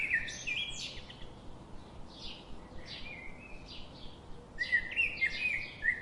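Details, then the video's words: Birds chirping: bursts of short, high chirps and trills at the start, middle and end, some fast and repeated, over a steady hiss of background noise. "birds chirping relaxing birds sound"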